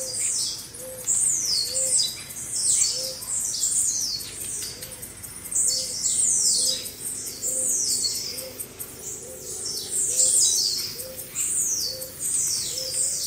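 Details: A crowd of blue-black grassquits (tiziu) sings together, with many high, buzzy, downslurred notes overlapping. A soft low note repeats steadily underneath.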